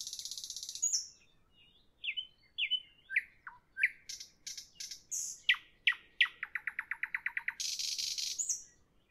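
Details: Song of a nightingale at evening: a rough rattle, then separate rising whistles, swelling to a quick series of about a dozen identical clipped notes, closing with another harsh churring burst.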